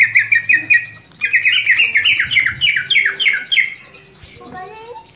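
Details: A greater green leafbird that has just finished moulting sings a fast run of bright, slurred whistles and chirps, repeated quickly in stuttering bursts, with a low indoor hum beneath.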